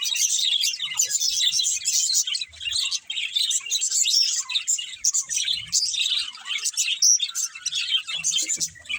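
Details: Budgerigars chirping, constant high warbling chatter broken by short squawks and sharp tweets from several birds at once.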